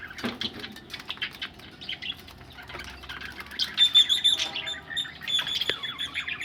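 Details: Budgerigars ready for laying eggs, giving busy overlapping chirps and warbling chatter, with bright squeaky notes growing louder toward the end and a few soft wing flutters.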